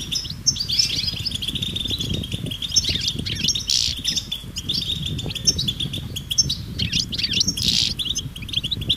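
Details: European goldfinches twittering as a group in nature, mating calls to encourage males to sing; sparse high chirps and a few louder buzzy bursts over persistent low rumbling noise.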